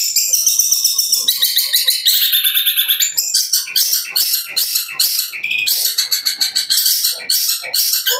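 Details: Young captive long-tailed shrike, a competition bird with juvenile wing feathers, sings at high speed. Its dense, rapid, high-pitched song runs as a continuous stream of short chattering notes and buzzy trills with frequent quick switches between phrases.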